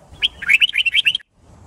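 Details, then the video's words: Fighting song of a red-whiskered bulbul, for training birds to learn songs: a rapid, lively run of about ten bubbling, warbled notes delivered in just over a second, then silence. "Luyện Chim Chào Mào Má Trắng Học Giọng Nhanh. Chào Mào Hót / Chào Mào Hót Đấu/Kích Bổi Hót"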